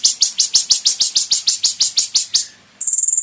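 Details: Van Hasselt's sunbird singing for caged-bird training: evenly spaced high, sharp downslurred chips, about three a second, then a brief gap and a thin, very high rapid trill at the end.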